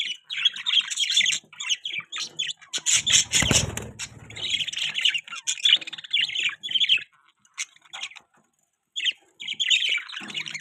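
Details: Pet budgies warble and squawk in long chattering runs, with a loud burst of low rattling noise near the start and a short silence before the chatter resumes.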